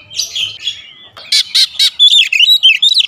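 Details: Oriental magpie-robin song: faint warbling at first, then several loud harsh buzzy notes followed by quick varied whistles and trills, bright and high-pitched.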